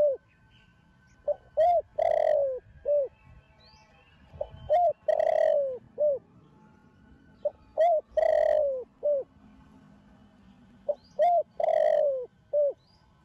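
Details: Young spotted dove with the Thổ Đồng coo style, a descendant of a Thổ Sấm bird, cooing to stimulate other doves. Repeated phrases of short hoots around one long, drawn, falling coo, roughly every three seconds. The background is quiet.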